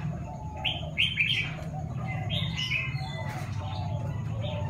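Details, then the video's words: A six-month-old young Chinese francolin practising its crow gives short, scratchy, rising notes in a few bursts, an unfinished attempt at the crow, over a steady low hum. "Chim đa đa con tập gáy"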